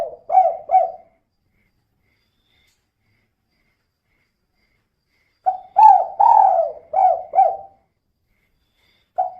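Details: Spotted dove, a female whose calls serve as a lure to make other birds sing quickly; a brief double coo, a long pause, then a phrase of five mellow, downward-bending coo notes and one more starting note.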